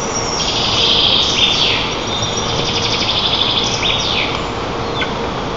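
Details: Morning feeding of eaglets by white-tailed eagle parents at a nest in Nizhnyaya Kama National Park, Tatarstan, 25 June 2024, via nest camera; a rapid high twittering trill with sliding chirps over loud steady background hiss.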